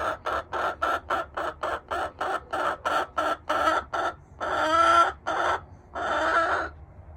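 A Buff Orpington hen clucks rapidly, about four clucks a second for four seconds, then breaks into three drawn-out, nasal squawks.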